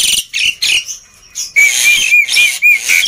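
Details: Noisy, lively black-winged myna song meant to coax reluctant birds into singing: harsh rasping bursts, then a run of sharp upward-flicking whistles repeated roughly every third of a second over a hissing, scratchy background.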